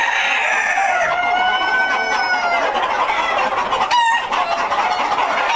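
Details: Purebred White Leghorn chicken breeder flock, a non-broody egg-laying breed, kept on a farm producing hatching eggs; many birds call at once, with drawn-out harmonic squawks rising over steady clucking chatter and a brief sharp clatter near the end.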